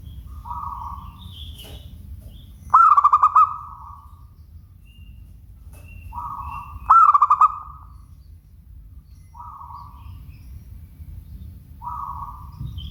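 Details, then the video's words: Two loud pulsed cooing phrases from a local zebra dove, each with a trailing drawl, set among several softer short coo notes and a steady low rumble. "Suara Bening Burung Perkutut LOKAL"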